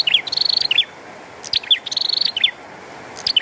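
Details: Bar-winged prinia singing loudly beside rain: bursts of sharp descending chirps mixed with fast trilled rattles near 4k, phrases repeated about every second and a half over steady rain hiss.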